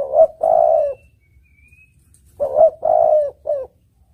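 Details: Spotted dove (tekukur) song, clear and melodious, described as good for luring birds: two matching phrases of soft, mellow coos, each a short note followed by a longer drawn coo and a clipped ending, separated by a brief silence.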